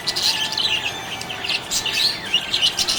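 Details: Contented budgerigar chirping, a short run of thin, rapid, high twitters and warbled squeaks coming in quick pulses.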